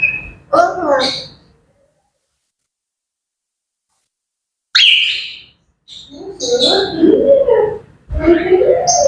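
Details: Morning chatter of grey parrots: a brief burst of voice-like wavering sounds, a long silence, a sharp high squawk, then a stretch of varied, speech-like gurgles and whistles.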